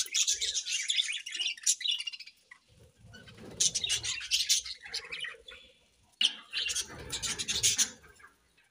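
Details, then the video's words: Budgerigars chirping in the morning: dense bursts of high, scratchy twittering in two main spells separated by quieter gaps, with faint low rustling between. "Budgies' Morning Chirping Sounds"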